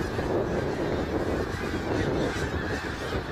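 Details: Brief burst of a snow goose flock at Middle Creek Wildlife Area, March 3, 2022: thick, constant honking from many birds at once, harsh and nasal, with no quiet gaps.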